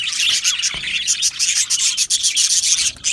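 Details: Aviary budgerigars, thick rasping chatter of many birds blending into a constant high hiss of chirps, one brief knock early on.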